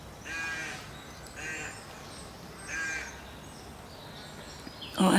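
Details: Rooks at nests with young in late March, giving three hoarse, rasping caws about a second apart, then a sudden loud knock at the end.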